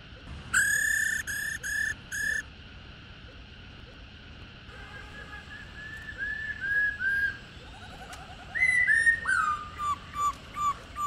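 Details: Old wild female black-throated laughingthrush calling 'ro rò' to excite captive males: a short burst of harmonic whistles, a quiet gap with soft notes, then loud repeated falling whistles toward the end.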